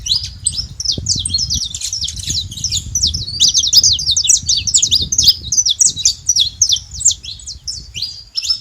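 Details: Wild saffron finch singing free in nature: a long, continuous run of sharp, high chirps and quick rising and falling notes, densely packed, with low rumbling background noise throughout.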